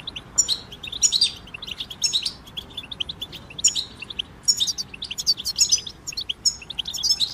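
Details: European goldfinches in a dense chattering chorus, used to help a goldfinch resume singing after moulting: continuous high, jingling twitters and chirps, thickening in the second half, with soft hiss behind.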